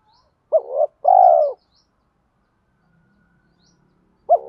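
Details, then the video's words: Spotted dove lure bird cooing "giọng thổ" with "thúc đấu" challenge notes to draw wild birds in fast: one low phrase, a quick hooked note then a drawn-out coo, a few faint high chirps, and the next phrase starting at the end. "chim cu gáy giọng thổ pha thúc đấu rút bổi nhanh về"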